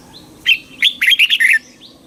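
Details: Red-whiskered bulbul song in the southern Thai master style, played to excite caged birds and teach young birds: one rich, warbling phrase of five or six quick whistled notes around two to four kilohertz, with faint high chirps of other birds.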